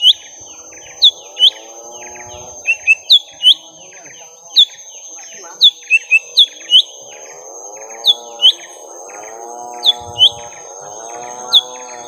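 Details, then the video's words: During a long fight with a rival, a young lesser green leafbird repeats sharp, high downslurred whistles, singly and in quick runs of three or four, across the whole stretch, backed by a wavering layered drone. "Suara Pertarungan panjang cucak ijo mini muda"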